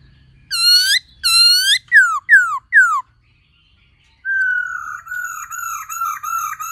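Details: Black-throated laughingthrush singing many voices with a female calling nearby, meant to stimulate kept birds: harsh ringing notes and quick downslurred whistles, a pause, then a long wavering whistled phrase with rapid modulations.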